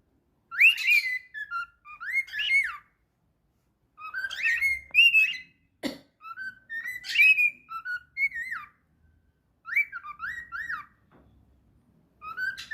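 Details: A pet cockatiel whistles a series of bright, rising and falling phrases with short pauses between them.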